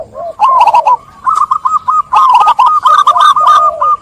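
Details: Zebra dove lure cooing for doves stressed by trapping: continuous, dense run of quick clipped coo notes at an even pitch, with softer lower notes from another bird beneath.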